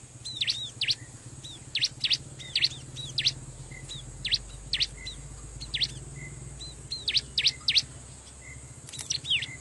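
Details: Loud wild-bird lure of Bar-winged prinia calls at a riverbank: long run of sharp, high V-shaped chips in clusters of two or three every second or so, with softer whistled notes between and constant hiss.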